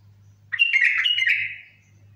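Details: Bulbul singing one loud, rich, warbling phrase of about a second of mixed whistled notes that fades at the end, with a steady low hum in the background.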